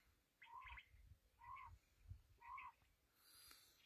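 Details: Kala teetar, the black francolin, giving three short rasping phrases about a second apart, each a buzzy lower note topped by scratchy higher tones, over low background rumble, with a brief hiss at the end.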